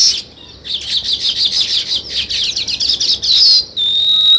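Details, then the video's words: Chirping of sparrows at a weaver bird nest-building site: a quick run of crisp, scratchy chirps that blur into a sizzling chorus, followed by a clear, steady high whistle. "Sparrow Chirping Sounds"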